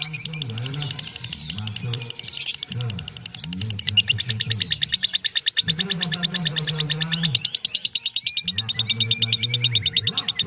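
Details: Lovebird keeping up a long ngekek song: unbroken rapid, shrill chattering pulses over intermittent low, droning background music or voices.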